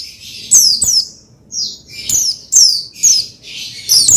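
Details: Excitable high notes from an Oriental white-eye (pleci), used to stir another pleci to sing: descending slurs with a few buzzier twitters, repeated roughly twice per second.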